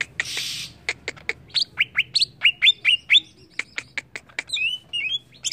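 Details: Greater green leafbird in agitated song: a brief harsh burst, then a run of sharp clicking notes mixed with short slurred whistles, ending in quick chirps, with a faint low hum beneath.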